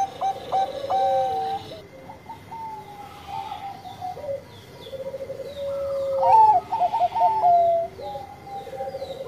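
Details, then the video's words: Bangkok zebra dove singing: long, smooth coos, then a quieter stretch, then a loud burst of rapid, bouncing notes near the end, with a lower second voice underneath. "Perkutut Bangkok Gacor Suara Merdu"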